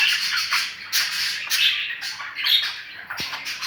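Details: Budgerigar, apparently indoors, giving harsh, scratchy squawking chatter in rough bursts about every half second to second, broad and noisy in the upper range, with one short low thump near the end.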